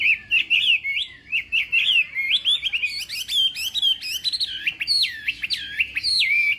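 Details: Chinese hwamei giving contest-style morning training song: a long stream of clear, loud whistled phrases that jump up and down, with fast zigzag trills and repeated upslurs, almost without a break.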